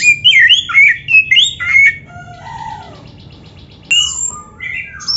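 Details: Oriental magpie-robin in full song with mimicry, used to provoke other caged magpie-robins to sing: rapid looping whistles at first, then softer quavering and chattering notes, a pause, and a sharp rising whistle.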